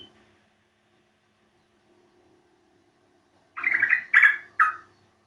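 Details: Yellow-vented bulbul used as a lure call to make birds sing; after a quiet stretch, one quick phrase of three or four liquid, bubbling notes.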